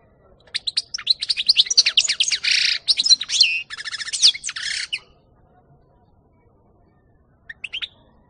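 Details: European goldfinch singing in 2018: a hurried tinkling, twittering phrase of about four seconds with a harsh buzzy middle section and rapid trilled notes, followed by silence and a brief short chirp near the end.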